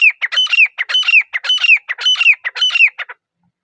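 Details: Loud, rhythmic calling of a grey francolin (teetar) in a forest: shrill, ringing three-part phrases, each with a rising whistled accent, repeated steadily about twice a second before stopping abruptly.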